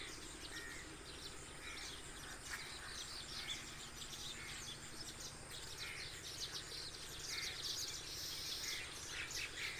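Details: Many sparrows sit in an acacia tree on a village pond islet at morning before flying off to search for food; constant overlapping chirps and tweets from a large flock, swelling louder toward the end, over a low hum.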